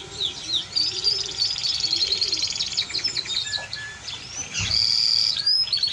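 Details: Timbrado Español canary song of rapid high trills and rattling rolls, then a bright sustained whistled note near the end, with faint low cooing in the background.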